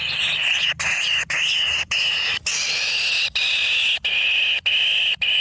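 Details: Young kingfishers in their natural nest, fed on frogs, giving a continuous hoarse, hissing rasp broken by short pauses about every half second to second.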